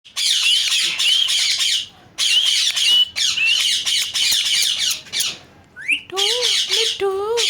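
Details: Pet talking parrot calling indoors: long bursts of harsh, raspy, high squawks, closing with a few clear tonal notes that bend up and down.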